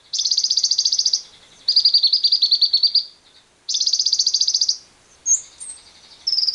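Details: Lovebird ngekek, the long trill played to stimulate other lovebirds, alongside wild birds: paired high rattling phrases, a brighter buzzy one then a lower longer churr, given twice, ending with short high chirps and a new trill starting.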